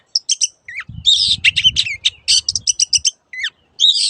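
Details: Long-tailed shrike master song for training caged birds: rapid harsh chattering notes with brief rising whistles between bursts, lively and scratchy, and low thumps underneath.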